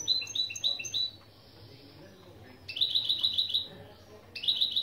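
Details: Goldfinch × canary mule song openings used as a lesson: a series of quick descending whistled notes, a pause, then a long fast trill and the start of another. Steady low hum behind.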